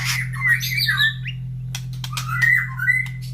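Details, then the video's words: Caged White-rumped shama in the morning after feeding, placed near cages of other breeding birds that all answer excitedly: varied whistled phrases sliding around a middle pitch with sharp clicks and chips, over a steady low electrical hum. "Suara Murai Batu Gacor"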